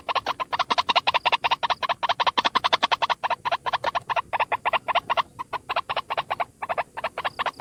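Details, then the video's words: Fast, insistent croaking from one white-breasted waterhen as a lure call: tightly packed harsh notes, over two per second, with occasional brief breaks in the rhythm. "SUARA PIKAT BURUNG RUAK RUAK TUNGGAL"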